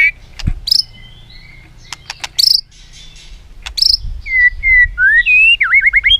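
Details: Caged white-rumped shama singing, a song used to train other shamas: scattered sharp chips and short buzzy notes, then a run of looping whistles that swoop up and down, over low background noise.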